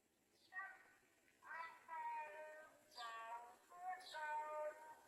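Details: Streak-eared bulbul, a parent bringing insects to its nestlings, giving four nasal, wavering calls, each opening with a quick falling sweep, about one per second, over a quiet background.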